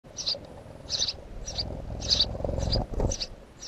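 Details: House sparrow giving short bright chirps about every half second to second, over a steady low rumble and some broadband noise.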